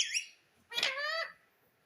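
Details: Pet parrot calling: a short, bright, harmonic squeal, then a longer, harsh, buzzy squawk that levels off and fades, in a quiet room.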